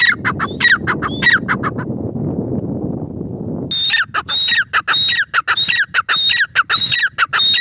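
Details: Grey francolin: a short run of raspy repeated phrases, a pause filled with broad outdoor noise, then a louder, faster series of whistle-topped falling notes.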